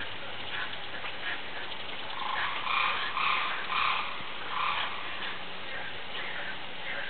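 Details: A peacock at Opole Zoo, Poland, gives a run of four or five short, nasal honking notes in quick succession over a steady background hiss.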